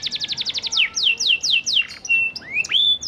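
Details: Panda canary in full lure song to coax silent canaries into responding: a rapid run of short descending whistles, slower drawn-out downslurred notes, then scattered rising whistled slurs.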